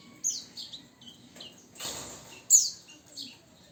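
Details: Javan bush lark aged nine years giving a few high, slurred chirps and downswept whistles, broken by a short burst of broadband rustling noise midway, then a loud sharp downslurred note.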